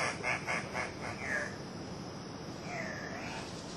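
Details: Two male Andean cock-of-the-rock (ssp saturata) displaying at a lek, Manu NP, Peru, 1 August 2005: five quick, harsh, nasal squawks, then one longer drawn-out squeal that dips and rises, over steady forest hiss.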